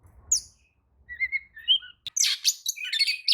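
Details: Oriental magpie-robin replying to another magpie-robin's song: a few soft chirps over a low rumble, then a loud burst of harsh, buzzy, rapidly modulated notes.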